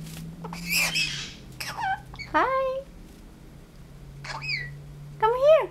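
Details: Pet male blue-headed pionus talking indoors, said to know phrases like good morning and how are you; a series of short, harmonic, speech-like syllables, some rising and falling, with squawky bursts between quiet gaps and a low room hum.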